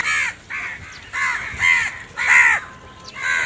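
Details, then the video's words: Crows in a large group calling for food: harsh, buzzy caws with stacked harmonics, about six in three and a half seconds, some slightly downslurred, given in quick succession with short gaps. "Huge numbers of crows crowing and crying sounds"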